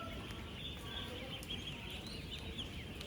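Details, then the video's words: Thousands of young ducklings, ten days old, on a working duck farm: high, brief peeps and chirps overlap continuously above a steady low-frequency drone. "16,000 Ducklings Making AMAZING Sounds!"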